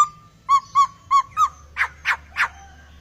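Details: Laughingthrush (poksai) in full, lively song: four clear whistled notes with harmonics at an even pace, then three harsh, broadband raspy notes. A low steady hum runs underneath.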